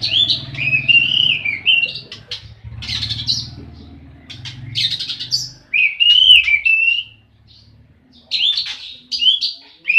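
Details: Fighting song of a kacer, the Oriental magpie-robin: rich, rapidly modulated whistles and chattering notes in energetic bursts with brief gaps, accompanied by a faint low hum.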